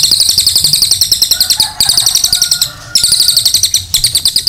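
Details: Cililin singing a long 'nembak panjang' masteran phrase meant to train other birds: rapid pulsed, sizzling high trills, about four notes per second, repeated in bursts separated by short breaks.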